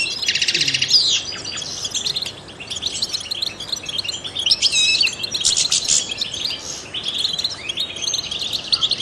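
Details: European goldfinch, a trained singer, delivering bright tinkling twitters and buzzy trilled phrases, rapid and continuous, with short pauses between bursts; used to stimulate other songbirds.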